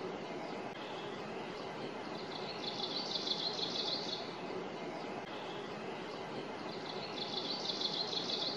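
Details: Kamchatka leaf warbler (identity uncertain; the bird was heard but not seen) giving two rapid, buzzy, high trills about four seconds apart in forest on 29 May 2022, over steady rumbling background noise.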